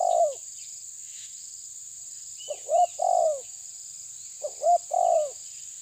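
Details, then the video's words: Spotted dove, tabir type, challenging a rival, gives a trailing coo, then two mellow phrases each made of brief stuttered notes and a drawn-out descending coo, spaced about two seconds apart, with a constant shrill insect drone behind. "Terkukur menekan lawan bikin emosi ~TERKUKUR TABIR"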